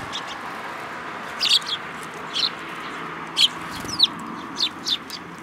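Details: Sparrows at a Tenmangu shrine on 26 June 2022 hopping onto a hand to be fed: short, sharp, high chirps scattered singly and in pairs every second or so over a steady background hum.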